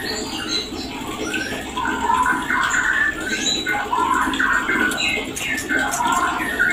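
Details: White-rumped shama calling to bring on breeding: loud, varied whistled phrases in bursts roughly every second, rising and falling slurs over a continuous noisy background.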